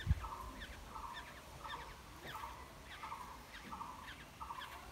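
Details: Wild black-hooded oriole nestlings during feeding at the nest give steady, buzzy, nasal notes in quick succession, about two per second, against low rumble and a sharp knock at the start.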